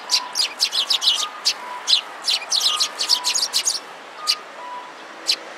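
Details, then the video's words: Quarrelling sparrows gathered at a food source on 25 February 2017: a fast, busy stream of piercing chirps that thins out to a few isolated notes, with a soft two-note electronic tone behind. "餌に集まるすずめ達20170225 92（喧嘩）"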